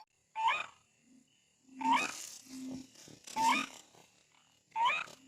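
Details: White-breasted waterhen call used as playback to lure the birds out of bushes: loud harsh nasal notes repeated about every one and a half seconds, with soft low hums between them.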